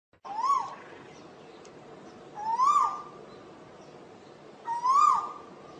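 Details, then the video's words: Asian koel giving three loud, whistled notes that swoop upward then dip, spaced about two seconds apart, with a faint hiss of background noise between calls. "เสียงนกกาเหว่าหรือนกดุเหว่า Asian koel sound"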